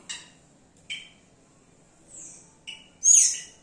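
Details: Yellow-rumped cacique singing as a mimic, giving short separated calls: sharp clicky notes, a soft high whistle, then a loud, slurred, descending squeal at the end, with pauses between phrases.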